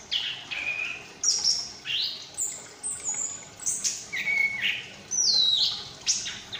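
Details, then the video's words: Young caged Chestnut-capped thrush from Malang, past its spotted juvenile stage, practising ngriwik chatter and starting clear ngeplong song: high whistled notes sliding down and up, given in short bursts about every half second. "Anis Kembang Ngriwik Lepas Trotol mulai ngeplong"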